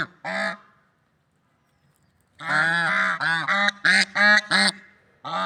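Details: Swans in nature: a single honk, a long silence, then a burst of about eight quick, brassy honks, some overlapping.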